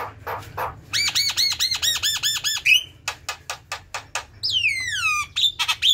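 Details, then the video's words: Javan myna (jalak kebo) in varied chattering song: a rapid run of looping nasal notes, a twanging whistle, a string of short rasping clicks, then a long descending whistled slide and sharp high whistles. "Jalak kebo ngoceh"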